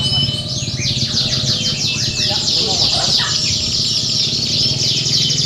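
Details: Several canaries at a singing contest, replayed as training practice; a continuous wall of high, rapid chattering trills with brief lower notes midway and a humming background.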